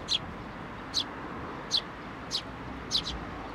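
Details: Sparrows at a Tenmangu shrine on 19 May 2024, hopping onto a person's hand to take food; five short, sharp high chirps spaced about a second apart over a low hum of distant traffic.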